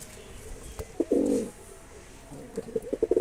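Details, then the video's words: Mosaldom pigeon, a domestic pigeon breed, giving a short low, hoarse cooing burst, then a run of soft, quick, repeated coo notes near the end, with faint clicks and room noise. "মশালদোম কবুতরের ডাম || Mosaldom Pigeon sound effect"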